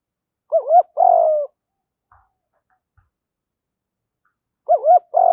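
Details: Male and female spotted doves calling to stimulate training birds; a two-part coo, quick looping double note then a longer descending tone, repeated after a four-second silence.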